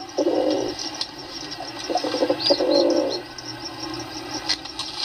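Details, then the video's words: Pigeons give two low, rough coo bursts, one near the start and a longer one around 2.5 seconds. A quiet stretch follows, under faint high chirping of other birds. "Pigeon sound"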